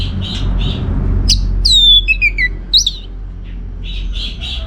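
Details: Orange-headed thrush in full, continuous song, used to prompt other birds to reply: soft buzzy notes, then clear downward-slurred whistles and a rising whistle, with a low background hum.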